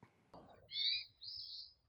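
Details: Hermit Thrush in Maine giving two high, thin 'weet' call notes in quick succession, the second slightly longer, with a soft knock just before.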